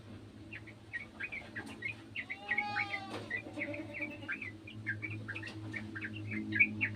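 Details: Sooty-headed bulbul from a garden joining in with another bulbul's song: steady, evenly spaced short chirps run throughout, while a separate smooth rising tone sounds briefly, over a low background hum.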